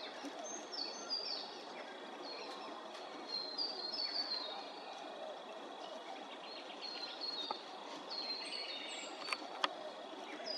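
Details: Several rainbow bee-eaters at Maryborough, Queensland, trade short, high, rolling 'prrp' trills in scattered bursts, over a steady hiss of wind or distant traffic.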